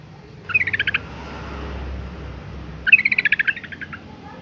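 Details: Sooty-headed bulbul female, in breeding condition, calls to attract males with two short rattling bursts of rapid chirps separated by a two-second pause, faint low rumble between.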